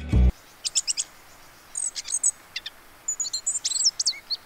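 Asian brown flycatcher giving thin, very high, sibilant chirps in short clusters and brief twittering phrases, after a short knock at the start.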